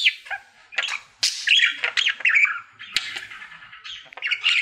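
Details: Happy singing pet budgerigar, male, in his daily routine: soft chattering start rising into loud buzzy warbles, chirps and sharp clicks, with squeaky whistles.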